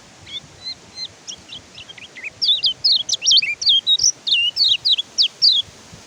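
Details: Oriental white-eye song meant to stimulate caged birds that won't sing; soft scattered high chirps grow into a loud, fast series of sharp whistled up-and-down slurs, over a faint background hiss.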